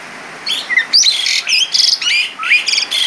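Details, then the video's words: Asian pied starling in full, lively song with rich mimicked fill material, opening after a short quiet moment into a busy jumble of bright chirps, squeaky slurred whistles and buzzy high notes, ending with a rising whistle. "Jalak Suren Gacor Isian Mewah"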